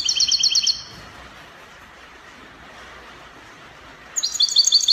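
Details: European goldfinch, Spanish copia song, Morocco: an opening burst of evenly repeated high trilled notes, a three-second quiet gap, then another bright rapid trill.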